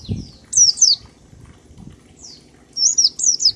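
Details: Ngalas song of an oriental white-eye in a 1234-beat pattern for luring birds into song; bright, falling whistled notes in twos and threes, a lone slur mid-way, then a quick burst of three descending notes.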